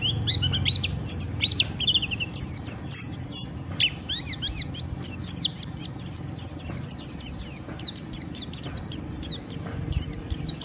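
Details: Rough 'ngeriwik' twittering from a white-eye challenging a rival to sing along, a dense, unbroken run of short, sharp, very high notes with brief whistled slurs and little background noise.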